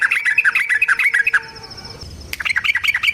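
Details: Trucukan (yellow-vented bulbul) singing as a lure for other birds: quick, bubbly, warbling chirps, a short pause, then another lively run of notes.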